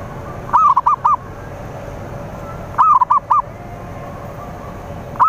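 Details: Zebra dove, locally perkutut or merbuk, singing as a lure to pull in rivals: repeated phrases of a drawn-out coo followed by three short clipped notes, about every two and a half seconds.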